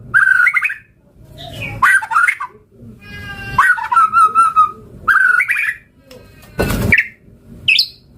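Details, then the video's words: White-rumped shama in energetic full song, with mimicked phrases: loud rich whistled notes, some rising and sliding, others held and wavering, in short bursts with brief pauses, and a harsh noisy burst near the end. "Masteran Suara Burung Murai Gacor Full Isian"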